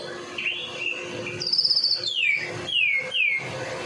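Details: White-rumped shama from Medan singing persistently as a lure for other shamas: a whistled phrase, a high buzzy rattle, then three ringing down-slurred notes, over a faint low hum.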